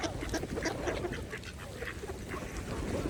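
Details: Mallards feeding together on a pond give quick runs of soft, nasal quacks and murmuring chatter, overlapping with steady splashing and bill-dabbling noise in the water.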